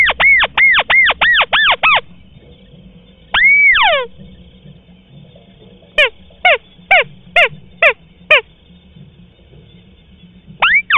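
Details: Lure recording of a white-browed crake for attracting birds in marsh and paddy: rapid series of falling nasal notes, one level whistle ending in downslurs, then separate sharp descending notes spaced about half a second apart; steady high hum.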